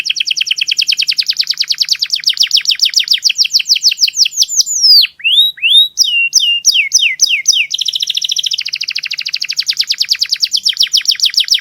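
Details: Tutor canary with a notably clear voice delivers varied song: rapid high trills of repeated notes, then slower sweeping downward whistles and sharp slurred notes mid-phrase, before returning to a dense buzzy rolling trill.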